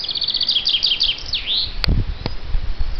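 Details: Chaffinch singing: a quick, high trill of repeated notes lasting about a second and a half, closing with a swooping flourish, followed by a few low thumps and knocks.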